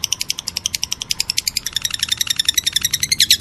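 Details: Lovebird described as meloloh: rapid series of shrill, high chirps, about four per second, quickening and tightening into a denser, harsher run near the end.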